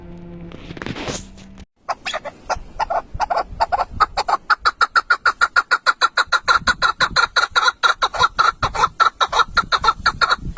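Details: Partridge singing, its voice thinner and less striking than other partridges. After a brief noisy burst, a rapid run of harsh clucking notes follows at roughly three per second. It repeats steadily and grows louder over about nine seconds.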